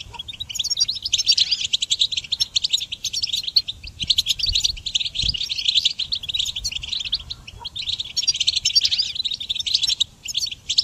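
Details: Goldfinch singing for songbird training, an unbroken stream of fast, liquid twittering and jingling high notes lasting the whole stretch, with short buzzy bursts and an occasional faint low bump.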